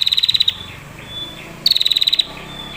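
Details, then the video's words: Female prinia trilling as a lure to make other prinias sing and fight. Two high, rapid, dry ticking trills about half a second long, the second after a short pause, with a faint thin whistle between them. "PRENJAK BETINA NGETIR PANJANG SUARA JERNIH"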